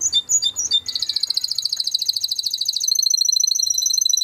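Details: Timbrado canary singing to train other canaries: a quick uneven opening of notes, then a long fast rolling trill of tightly repeated high clicks that shifts into a steadier, metallic rattle.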